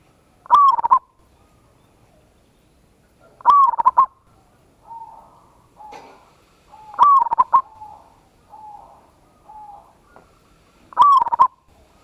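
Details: Local zebra dove with a big voice giving a ngayer kerot nutut lure song to raise singing emotion in other birds. Four loud stuttered coo phrases repeat about every three seconds, with soft short coos between.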